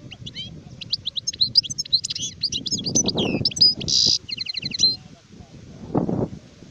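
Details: Adult European goldfinch, called sharef, singing a fast twittering run of liquid, sliding notes, then a harsh buzzy burst and a quick series of repeated ticking notes, over low rumbling background noise.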